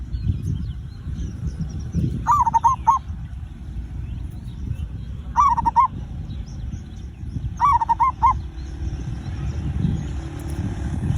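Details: Zebra dove lure song intended to prompt other birds to sing: three bursts of rapid rolling coos spaced a few seconds apart, over steady low rumbling noise and faint higher twittering.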